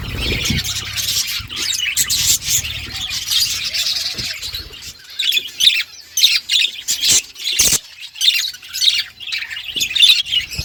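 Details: Flock of budgies in an outdoor forest aviary: continuous high, busy warbling and chirping that later breaks into sharper, choppy chatter with short gaps and a few clicks.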